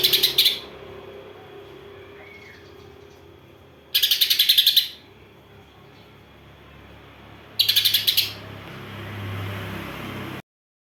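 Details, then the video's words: Greater green leafbird song filled with house sparrow imitations, delivered as three short bursts of fast, harsh, evenly spaced chirps about every four seconds, with quiet background between bursts. "Cucak ijo isian Gereja vs Kapas Tembak"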